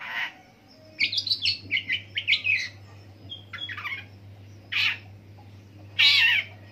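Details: Imitating various birds, a long-tailed shrike delivers a jumbled chatter of scratchy notes and whistles. Two loud, harsh squawks follow after pauses, over a steady low hum.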